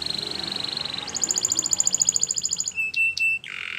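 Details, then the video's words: Canary of the Spanish Timbrado breed giving a training song: an even rolling trill that rises into a higher, brighter roll, then a few sharp clicking notes and a lower buzzy tone. "Canary Singing Training Video"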